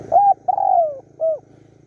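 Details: A single spotted dove phrase heard while luring wild doves at Bang Bai Mai, Surat Thani, Thailand, the bird calling for a mate: a short coo, a long gently falling croon and a brief final coo over a faint low hum.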